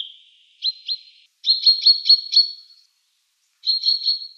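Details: Common chaffinch (Fringilla coelebs) in Siberia giving short, high, clipped 'yu yu yu' alarm calls in three quick bursts of two to five notes, instead of singing, against a quiet background.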